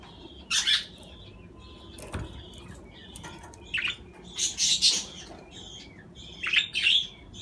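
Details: Budgerigar chatter: bright, scratchy bursts grouped in twos and threes, mixed with brief, high chirps and a single soft thump.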